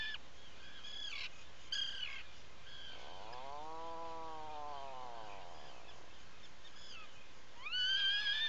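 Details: Atlantic puffin in its nesting burrow at a breeding colony on Seal Island National Wildlife Refuge, Maine, 16 July 2018, late morning: a single long, low moaning groan swells and fades over three seconds, framed by sharp high chirping from other birds and steady hiss.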